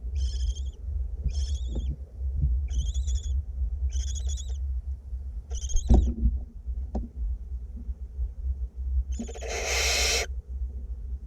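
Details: Two barn owlets in a nest box in north Glasgow, being fed; short hissing bursts repeat about every 0.6 seconds, then a longer, louder rasping hiss near the end, over a low background rumble.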